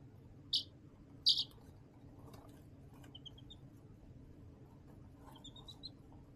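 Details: Chicks chirping in an indoor brooder box under a heat lamp: two loud sharp peeps early, then faint rising thin peeps in short runs, over a steady low hum and occasional scratching.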